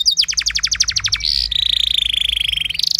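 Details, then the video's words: Canary training song: a run of rapid high descending notes followed by a long, fast buzzing trill that stays level and slightly falls, closing with a higher rattling burst; faint low hum beneath. "Materan Burung Kenari Lagu Istimewa! Cengkok Mewah Bikin Kenari lain Ikut Terpancing jadi Gacor"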